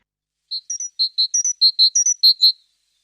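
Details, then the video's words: A great tit, a small yellow-breasted tit, sings a quick run of clear, high whistled notes alternating between two pitches, about eleven notes in two seconds, with nothing else heard. "Це маленька жовтогруда синичка послухайте як вона співає"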